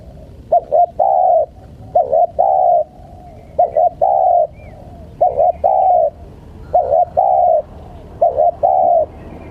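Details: Spotted dove used to tease wild birds, cooing steadily. Six phrases, each two brief notes followed by a longer mellow coo, come roughly every one and a half seconds.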